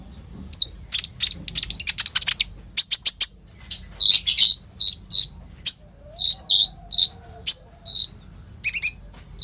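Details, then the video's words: Energetic olive-backed sunbird (kolibri ninja) song with rolls and shot notes, played to coax young sunbirds to sing, phone-recorded; dense cluster of sharp high chips, then evenly spaced short whistled notes, faint low background hum. "SUARA BURUNG KOLIBRI NINJA GACOR FULL ISIAN ROLL TEMBAK INI, COCOK BUAT PANCINGAN KONIN BAHAN/IJOAN"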